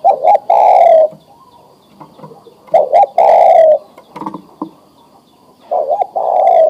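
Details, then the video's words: Male spotted dove, adult and ready to breed, calling a female; three coo phrases of two short notes and a long falling coo, with light knocks and rustles between. "Suara Tekukur Jantan Memanggil Betina Siap Di Kawinkan"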